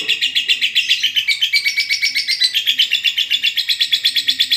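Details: Long ngekek song of a lovebird, used as master song for training other birds: fast, bright, shrill chattering pulses at about four per second, unbroken throughout, with some soft low background sounds.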